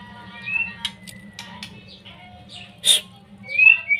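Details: Young white-rumped shama singing a provocation song meant to stir other shamas into singing: scattered high whistled notes and sharp clicks, a bright rising whistle near the end, over a steady low hum.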